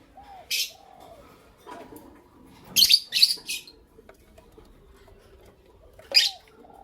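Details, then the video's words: Lovebirds, a creamino and a lutino opaline, singing in the morning: sharp high chirps, one alone, then a quick cluster of three, then another after a pause, with soft lower curved notes in between. "Lovebird Chirping Sounds"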